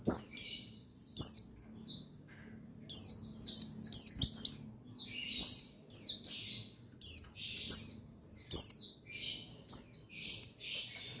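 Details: Male buxtoni white-eye, played as a lure to stir other white-eyes into song: a string of very high, sharp, downslurred chirps, often doubled or tripled in quick bursts, with brief pauses between and a quiet background.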